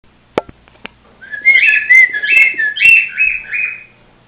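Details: Pet cockatiel, female, watched up close by a camera set right next to her, whistling a run of warbling notes that rise and fall in linked phrases for about two and a half seconds, preceded by a few clicks and taps.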